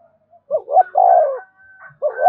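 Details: Spotted dove song for caged birds to call back to: two rising coos then a long falling hoot, with a steady high whistled tone and the next phrase starting at the end.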